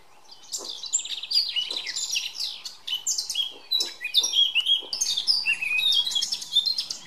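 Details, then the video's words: Male Eurasian blackcap giving a rich, continuous song of rapid, varied warbling notes, with clear fluty whistles and quick slurred phrases throughout, loud and close, over a faint low hum. "Jak zpívá černohlávek"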